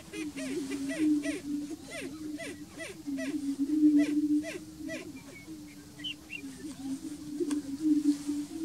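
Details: At the Bledsoe Ranch lek, greater prairie-chickens give rapid short rising-falling yelps, several per second for the first five seconds, then sparser, over a continuous low droning moan.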